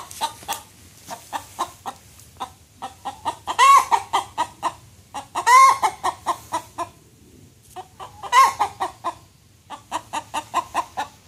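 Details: Alarm calls of chickens reacting to a great blue heron by the pond, a steady stream of rapid clucks broken by three loud, rising squawks, with the clucking carrying on between them.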